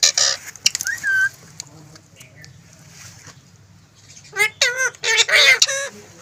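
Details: Talking green ring-necked parrot producing bursts of shrill, speech-like syllables, a cluster at the start and a rapid run of bent, harmonic notes near the end, with a quiet gap between and faint low background hum.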